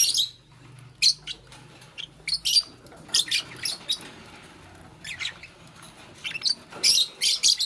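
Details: Nest-building green Fischer's lovebird alongside a pastel bird in the morning, uttering scattered high, harsh chirps and short squeaky bursts, irregularly spaced, with faint low hum underneath.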